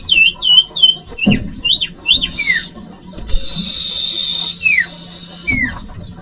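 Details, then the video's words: Common iora song for luring young birds: several rounded looping whistles, then a long even buzzy trill ended by falling slurred notes. "Audio Suara Burung Cipoh/Sirtu/Sirdung cocok buat pancingan bakalan"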